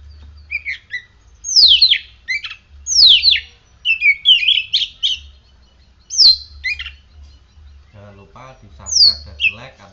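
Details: Kacer, an oriental magpie-robin, singing after morning sun and dew care: repeated loud whistles sweeping downward, interspersed with twittering and chattering phrases, with brief lower sounds near the end.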